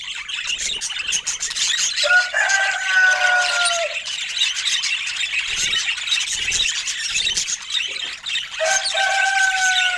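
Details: Pet budgerigars calling in a busy high chatter, with a few clear whistled notes gliding downward standing out over the chorus.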